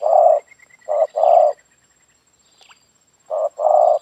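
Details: Spotted dove calling in a yard, used to lure wild doves: low hollow coos, a brief note followed by a longer rolling one, the phrase given twice with a pause between, over a faint steady high tone.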